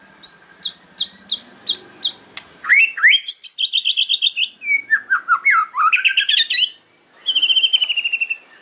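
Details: Kretekan song from a fighter white-rumped shama, hard and sharp to provoke opponents: a row of short clipped notes, then descending whistles and buzzy rattles, ending in a fast even trill.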